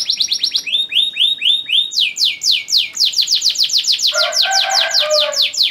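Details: Breeding male canary sings to prompt a receptive female to mate; sets of repeated notes shift in style, from flat high pips to arched whistles and fast downswept notes, some with a lower rattling layer.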